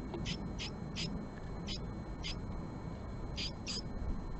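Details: Japanese tit, a female calling on a male at his nest box, morning of 20 March 2022. Short high chipping notes are spaced irregularly, then a closer pair near the end, over steady low hum.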